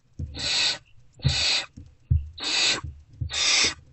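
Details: Four long, drawn-out rasps from great horned owlets still awaiting food in a wild owl box, early morning of 3 March 2024, answering an adult's arrival, with dull thuds beneath each call.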